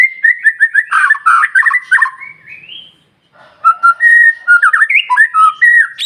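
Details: White-rumped shama song used to stir other shamas: bursts of rich whistles, chattering notes and rising slurs, a brief gap, then another varied whistled phrase.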